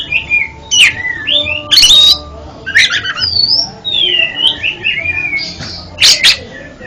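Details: Whistled, swooping phrases of an oriental magpie-robin, played to help a stuttering bird sing, alternate with loud raspy chips and buzzy bursts, with a faint steady hum in the background.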